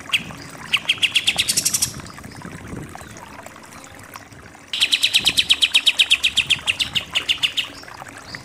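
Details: Kapas tembak, the pied triller, in its 'nembak-nembak' style: a brief rising trill, several seconds of near silence, then a long fast stream of sharp repeated notes that gradually drops in pitch.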